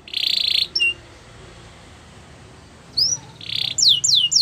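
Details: Belgian canary (labelled Gloster canary) singing in bursts: harsh buzzy rolls broken by a pause, then quick downslurred whistles repeated several times a second.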